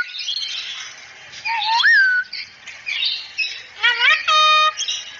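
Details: Cockatoo speaking "assalamualaikum" for a training recording: one rising whistled phrase that flattens out, then a quick burst of rising notes and a harsh, buzzy, ringing squawk, all against dense background chirps.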